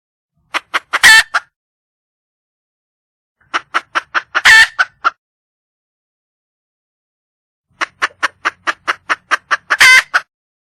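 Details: Red junglefowl hen in the wild calling to attract a mate, giving three bouts of rapid clucking roughly every three and a half seconds, each series of quick dry notes broken by one loud raspy squawk.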